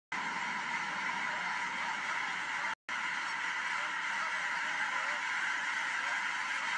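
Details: Geese taking off at William L Finley National Wildlife Refuge: a dense, continuous chorus of overlapping honks from a large flock, steady throughout, with a brief silent break near the middle.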